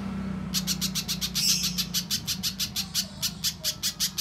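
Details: Little spiderhunter lure call: after half a second of low hum, a quick sequence of piercing, high chips begins, about three per second, meant to get untrained captive birds singing.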